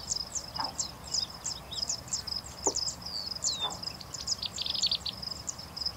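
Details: A Singing Bush Lark (Horsfield's bushlark, Mirafra javanica) at Sabya, Jazan Region, Saudi Arabia, sings a fast, high, scratchy twitter of short chirps strung continuously together, with a few lower clicks and faint background hiss.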